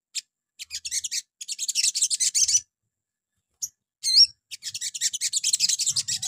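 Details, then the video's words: Crimson Sunbird (sogon) morning lure song used to draw answers from other birds: long bursts of fast, high, scratchy twittering broken by a loud swooping whistled note. "PANCINGAN PAGI HARI SOGON LANGSUNG NYAUT"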